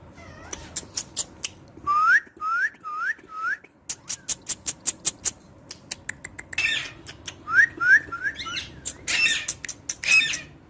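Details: Pet parrot, said to be talking sweetly and clearly, gives a series of short rising whistled notes in quick runs, with sharp clicks and bursts of harsh noisy sound between them.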